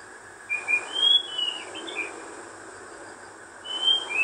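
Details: White-rumped shama singing in the wild: a short run of clear high whistled notes, some sliding up or down, then a pause and another whistled phrase near the end, over a steady faint hiss.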